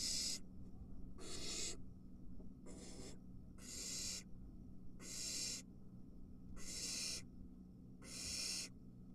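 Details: Barn owl nestlings, three in the nest, at a mouse delivery: seven harsh, snoring hiss bursts at uneven intervals, each under a second, over a steady hum.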